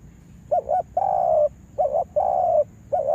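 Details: Trapping lure spotted dove in a yard, giving low, hollow coos: a short hiccuping double note, then a long, even, slightly falling coo, repeated twice.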